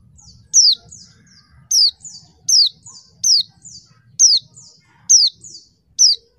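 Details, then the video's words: Female mountain white-eye calls meant to goad reluctant males into singing; bright, piercing downslurred chirps with fainter echoing notes after, about eight bursts at roughly regular spacing, soft low background hum. "pleci betina bikin jantan tambah edan"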